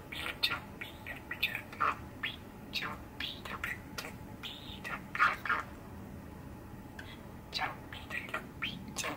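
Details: Six-year-old male budgerigar kept indoors, recorded on a cold December day in 2021, chattering in short scattered chirps and squeaks with quiet gaps between bursts.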